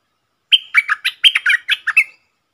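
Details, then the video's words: Red-whiskered bulbul, a bold wild bird answering a caged decoy, 5-6-64: a run of about ten bright, bubbling whistled notes, each phrase opening on a clear, level tone, delivered quickly over under two seconds. "เสียงนกกรงดอกแตงEp.56Birds soundsนกป่าห้าวจัดมา ริกใส่แล้วก็ไปSuara merbah lekir gacor"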